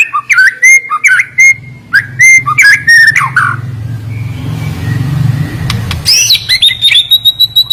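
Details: Murai batu, or white-rumped shama, pours out sharp whistled notes and rapid slurred phrases. A low rumbling engine-like noise fills the middle, then a high, piercing, drawn-out whistle follows.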